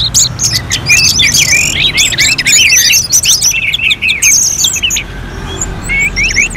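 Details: Orange-headed thrush, contest simulation: fast cascade of high twittering and whistled notes packed together, then thinning to a few separate upslurred whistles near the end.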